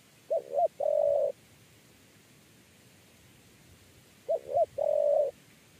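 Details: A spotted dove (tekukur) gives 'kuk 3' coos while wild doves are being lured to a trap. Two phrases about four seconds apart, each a quick double hoot and then a longer level coo, over light background hiss.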